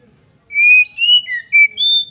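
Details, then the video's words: Female Oriental magpie-robin call to rouse males: five clear whistled notes in quick succession, rising, dipping and ending on a high held tone. "PANCINGAN AGAR KACER CEPAT EMOSI, GACR DAN BKA EKOR || KACER BETINA"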